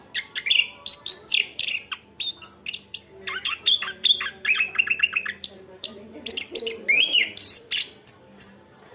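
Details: Chestnut-backed thrush (anis kembang) in loud, steady song: rapid sequences of high whistles, rising and falling slurs and short repeated chattering notes in fast succession, barely pausing.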